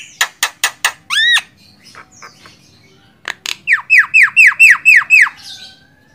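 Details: Javan myna (jalak kebo) song for tutoring songbirds: loud clicks, a rising whistle, quiet notes, then a rapid series of about eight harsh, downward-sweeping squawks.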